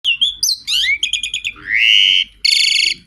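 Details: Asian pied starling singing a song said to call for rain: whistled notes, a rising slurred whistle, a run of rapid repeated chirps, a long level whistle, then a harsh buzzy rattle.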